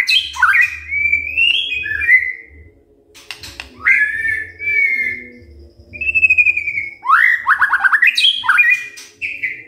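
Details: White-rumped shama morning song used to rouse other birds: clear whistled phrases sliding up and down, pauses between, then a quick series of rising notes and a final whistle, over low hum.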